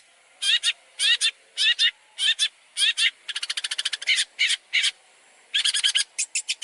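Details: Long-tailed shrike singing material for tutoring other birds. Loud harsh, rasping paired notes repeat at short gaps, broken by a rapid stuttering rattle, then more grating calls.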